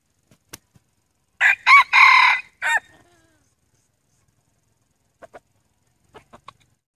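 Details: Decoy male red junglefowl, used to lure wild junglefowl, gives a single loud crow. Two quick notes lead into a long, rough, harmonic middle note and a short final syllable. Faint ticking clicks follow in quiet surroundings.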